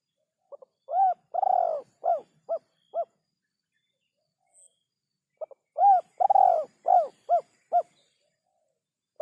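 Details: Spotted dove cooing, recorded as training audio for songbirds: two phrases, each starting with short clipped notes, then a long rolling coo and a few shorter descending coos, with a pause of a few seconds between phrases.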